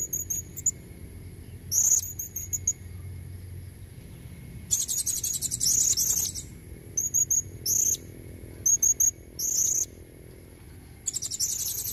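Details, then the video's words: A female blue-crowned hanging parrot's call used to lure males with red necks. Scattered thin, very high chirps alternate with longer buzzy, rapid squeaky bursts and short silent spells. "Suara serindit betina buat pancingan jantan leher merah"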